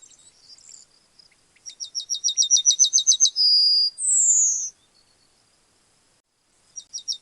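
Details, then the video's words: Yellowhammer singing, presented as a softly looping countryside soundscape. A quick run of about a dozen high, even, repeated notes, then a sustained steady note and a higher, slightly falling drawn-out note, with a new run starting at the end. "Yellowhammer Singing"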